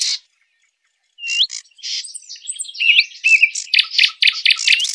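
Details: Sylvia warblers in a recording played as a lure for hunting. Short buzzy chirps and rising whistled notes come in scattered bursts after a brief pause, then dense clusters of rapid ticking notes.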